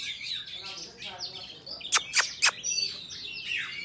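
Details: Wild forest-style song of an Oriental magpie-robin, used to train young birds and for trapping: varied whistled notes and slurs, broken by three sharp loud clicks near the middle, then more falling whistles.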